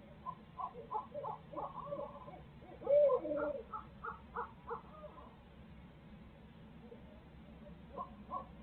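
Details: Barred owls nesting in Midtown Tulsa, parents sharing duties; a quick series of clipped hoots, a louder wavering wail near the middle, then further fading hoots.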